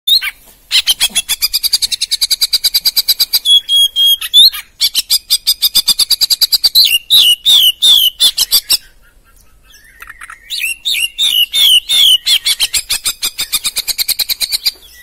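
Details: Champion oriental magpie-robin singing a loud, fast run of sharp chirps repeated several times a second, mixed with bright rising whistles, broken by a brief pause before a second rapid burst.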